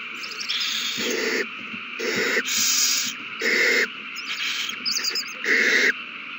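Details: Owls calling in a frenzy at the nest after a mouse is found and given over, 21 March 2020; a rapid, overlapping run of harsh hissing screeches with clicking chatter between them.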